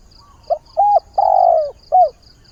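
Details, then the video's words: Captive decoy spotted dove giving its morning mate-seeking call: a soft short coo, then a steady hollow hoot, a long slightly falling croon and a last short note, all low and mellow, with rhythmic faint high pulses behind. "Tiếng chim cu mồi giọng hạp bổi, ngày mới gáy gọi tìm bạn"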